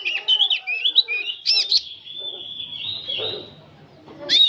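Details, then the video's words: An old oriental magpie-robin sings continuously, giving warbling whistled phrases, then a long steady drawn-out whistle over faint background noise, and ending with a sharp burst of notes. "Kacer tua jiwa muda nyerecet bunyi tanpa henti"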